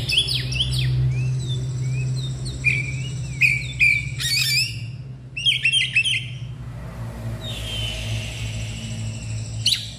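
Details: Oriental magpie-robin, agitated and spreading its tail, in loud 'ngeplong' song: bursts of falling whistled slurs and buzzy trills, a single drawn-out descending note near the end, over a constant low hum.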